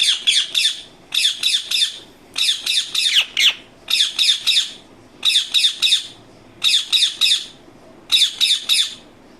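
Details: Indian ringneck parakeet, a talking parrot, repeating shrill, rasping squawks in tight bursts of three or four, each burst roughly every second, loud and insistent throughout.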